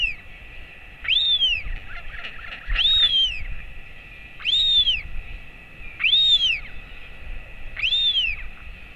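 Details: At a royal albatross nest, an adult male feeds a chick hatched in January 2024, late morning on 28 August 2024. Five arched, rise-and-fall whistled calls come in a regular series roughly every 1.7 seconds, with constant background hiss.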